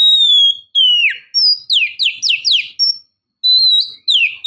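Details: Female Oriental magpie-robin calling to stimulate the male: clean whistled notes, long level and falling slurs, then a run of quick descending sweeps, in a quiet background.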